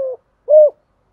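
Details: Spotted dove call meant to stimulate doves: the tail of one low coo followed after a short gap by a single rounded, mellow hoot.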